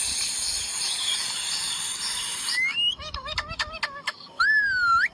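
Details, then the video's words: Green parrot: a steady noisy hiss gives way to a rising whistle, several quick clipped notes and a final long wavering whistled tone. "Parrot Talking | Green raw parrot Talking | parrot sound"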